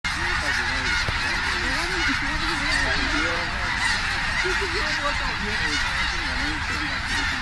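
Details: Tens of thousands of snow geese landing in Richmond, British Columbia, Canada, on 21 October 2005: a dense, continuous roar of overlapping nasal honks, many short rising and falling yelps layered over each other without pause.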